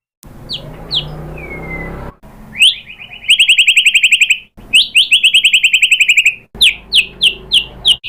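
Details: White-rumped shama lure song meant to provoke singing: high sharp chips and a falling whistle, then long, very rapid, even trills of piercing notes, ending in a series of spaced downward chips.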